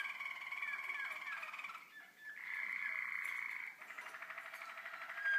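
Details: Young Waterslager canaries, also called Malinois, recorded in 2012: continuous rolling, water-like warbled trills and bubbling phrases shifting pitch every second or two, with a brief dip in the middle.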